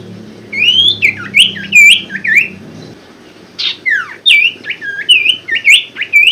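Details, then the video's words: Common Iora (sirtu), a lure for birds that have gone quiet: loud, lively series of slurred whistles rising and falling in quick succession, two phrases split by a short pause. "pancingan sirtu macet bunyi & malas bunyi"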